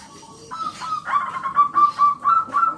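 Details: Local zebra dove with a strong, clear voice, used as a lure so other doves start singing. Short rapid chain of crisp, ringing notes rises out of a quiet start.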